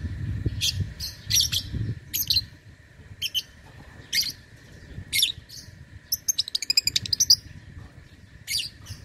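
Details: Lovebird in an online singing contest; scattered sharp high chirps, then a fast rapid trill of clicking notes near the end, over faint low background rumble.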